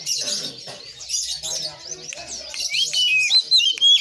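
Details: Oriental magpie-robin singing vigorously: rough chattering notes at first, then clear high whistled phrases toward the end, with sharp clicks scattered through.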